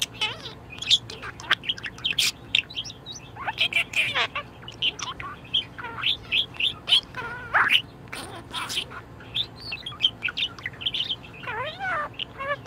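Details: Pet budgerigar in a very good mood keeps up a lively warble of squeaky chirps, clicks and wavy up-and-down whistled notes, rapid and varied over twelve seconds.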